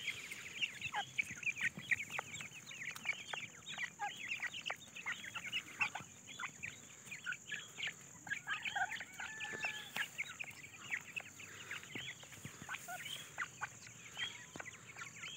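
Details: Grey francolin young feeding, a long stretch of scattered high chirps and sharp clicks, irregular and overlapping, at times thinning out before bursting again.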